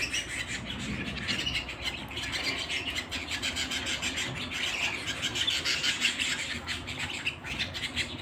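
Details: Home canary's continuous song of rapid, high, rolling trills and sharp chirped notes, rising and falling in intensity.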